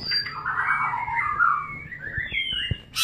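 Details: White-rumped shama during mating, with a loud, slurred warbling phrase in the middle and a sharp high burst at the end.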